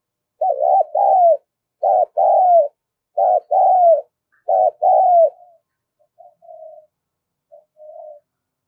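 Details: Spotted dove call used to lure birds: four repeated phrases, each a short coo followed by a longer falling coo, about every one and a half seconds, then fading soft notes.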